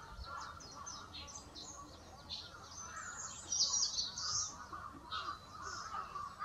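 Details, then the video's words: Chestnut-cheeked starlings, summer visitors to Japan, give a noisy, busy stream of high, loud, squeaky, rolling 'kyuru kyuru' notes, higher than those of the grey starling, with several birds chattering over one another above a steady background hiss. "コムクドリはキルキルやキュルキュルという鳴き声を出します"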